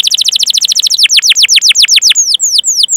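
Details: Canary song for training other canaries: quick repeated chirps that slow into longer downward-sweeping whistles, ending with a few spaced falling notes.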